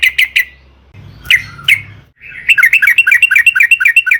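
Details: Sooty-headed bulbul singing as a lure to provoke other bulbuls: three sharp notes, two louder slurred calls, then a quick chattering run of short bubbly notes over faint low hum.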